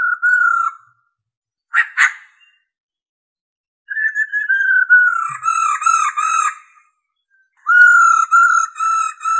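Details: A female white-cheeked laughingthrush, used to stimulate males, gives long, mellow whistles that waver and dip, in three drawn-out bouts separated by a brief harsh burst.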